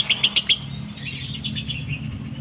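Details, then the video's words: Konslet minor lovebird song, dry in tone, for provoking other lovebirds to sing: four loud, sharp high chirps in quick succession, then softer scratchy twitters trailing off. "SIMULASI SUARA LOVEBIRD KONSLET MINOR NADA KERING ,COCOK UNTUK MEMANCING DOBELAN LOVEBIRD ANDA"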